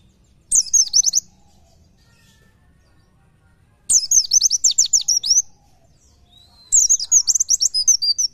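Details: An Oriental white-eye (Zosterops palpebrosus) gives three bursts of very high, rapid twittering song, each a second or two long, with quick sweeping notes and short pauses between them.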